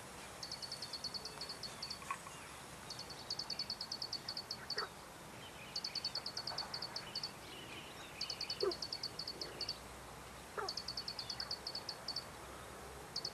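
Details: Plain prinia, Taiwan endemic subspecies flavirostris, at Dianbao River, Taiwan, on 2 June 2019: bursts of about ten rapid, high, clipped notes, each burst lasting roughly a second and a half and repeating every two to three seconds, with faint other bird notes behind.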